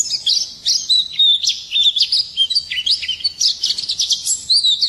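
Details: White-eye singing in the morning: a lively, high-pitched warble of quick sliding chirps and short whistled notes, tumbling along without pause.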